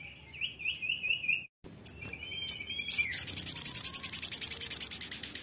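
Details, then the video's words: Singing crimson sunbird: a string of wavy, slurred mid-high whistles, a pause and clicks, then a long, loud run of rapid high buzzy pulses steadily repeated. "Sogon gacor NGAMUK"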